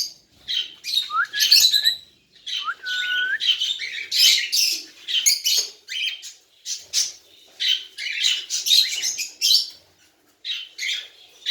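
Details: Tame baby cockatiel calling steadily: harsh, raspy high squawks in rapid bursts, mixed with a few clear whistled upward-sweeping notes, repeated with brief pauses throughout.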